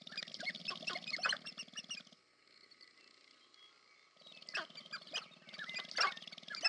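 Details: Sharp-tailed grouse performing a courtship display at the American Prairie Reserve, Montana, USA: dense bursts of rapid, buzzy rattling mixed with sharp cackling clicks, a two-second lull, then the rattling resumes.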